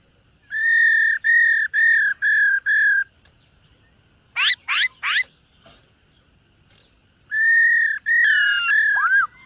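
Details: Singing in morning voice training, a silver-eared laughingthrush gives five evenly spaced whistles, a few steep upswept notes after a pause, then long whistles and a falling slur.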